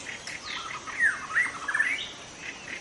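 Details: Forest-dwelling wild white-rumped shama with a lively, varied song of rich slurred whistles and quick chattering notes. No insect drone in the background.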